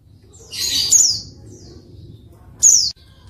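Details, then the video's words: Female white-eye call to encourage silent males: a broad, noisy chattering burst with a whistle inside it, then after a pause a single clear high descending note. "pleci betina untuk pancingan pleci malas bunyi"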